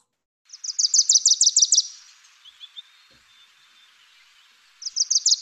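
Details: A second Wilson's Warbler near Lake Tahoe sings a fast, bright chatter of about ten high, evenly spaced chips over a second and a half, then a pause with faint distant notes before the song starts again.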